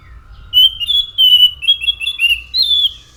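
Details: Anis macan thrush in vigorous song: a dense chain of loud, clear whistled notes, each sliding slightly up or down, delivered rapidly for nearly three seconds.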